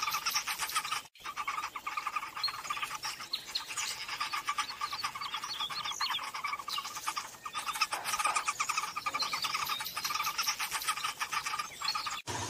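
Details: Taiwan barbet in Bogor gives rapid, repeated notes in a steady mid-pitched run, over a busy wash of higher chirps and chatter.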